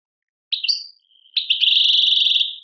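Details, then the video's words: European goldfinch singing in the Tadmait style, Algeria: a short burst of high twittering notes, a pause, then a sustained buzzy, rapidly trilled phrase. No other sounds. "chardonneret chant tadmait"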